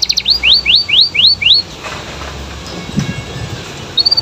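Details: Canary in gacor song to prompt replies from other canaries: six rising swept whistles in quick succession, followed by a quiet gap and a brief high trill at the end.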